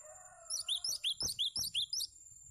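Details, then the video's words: Training recording of a cinereous tit: faint low tones give way to a bright rhythmic string of about eight upslurred whistled chirps, each with ringing overtones, over a thin continuous high whine. "Masteran Gelatik Batu"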